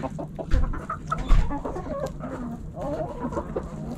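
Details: Backyard hens and roosters pecking and scratching; soft scattered clucks and murmurs under heavy low rumbling thumps from the birds scratching nearby.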